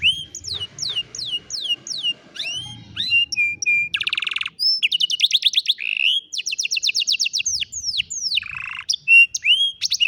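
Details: ['Afternoon song of an old canary, continuous and varied: repeated falling whistles, a short buzzy roll, then long stretches of rapid trilled notes and swooping slurs.']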